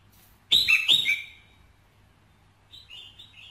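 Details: A bright, ringing red-whiskered bulbul phrase with two quick, loud, wavering notes played to stimulate a male, followed after a gap by softer rippling chirps.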